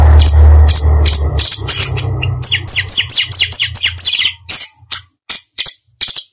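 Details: Orange-bellied leafbird singing, a recording meant as competition training material for other songbirds: loud low hum at first, then a rapid run of descending whistled slurs, followed by separate sharp, piercing high notes.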